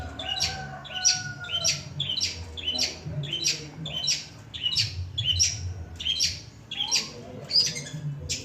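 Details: Long-tailed shrike, a mimic of other birds' songs, producing rapid rasping chirps about one and a half per second, with a brief thin whistle heard early on and a low background hum.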